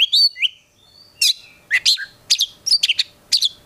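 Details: An Oriental magpie-robin in full song, meant to make other magpie-robins answer, gives a varied run of loud, sweet whistles and sharp chirps in quick bursts about every half second against a quiet background.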